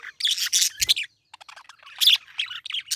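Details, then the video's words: Quick buzzy chirps and scratchy squawks from a parakeet in two loud bursts, one at the start and one near two seconds, with faint twittering between. "Parakeet Chirping Sound"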